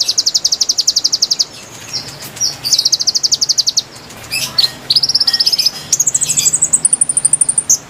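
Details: Song of the konin, played to attract wild birds: long bursts of fast, high-pitched repeated notes alternating with shorter twittering phrases, the final phrase stepping upward into a thin high trill.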